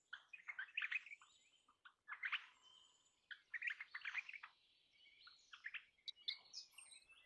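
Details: Crimson rosella (Platycercus elegans), a parrot, giving a busy run of short chattering and twittering notes in bursts, with brief pauses between groups; no other clear sounds.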